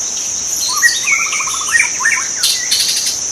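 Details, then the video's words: Brief burst from a white-rumped shama in the wild: a quick run of slurred whistles and a rapid rattling trill, followed by sharp clicks, over a steady high insect drone. "kicau murai batu di alam liar"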